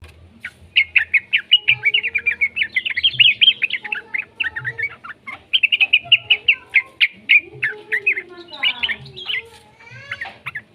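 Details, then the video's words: Young yellow-vented bulbul song used as a lure to get other bulbuls singing: dense runs of quick chattering, bubbly notes, some rising and falling slurs, with a lower sliding note near the end. "suara burung trucukan muda PALING AMPUH buat Pancingan trucukan agar BUNYI"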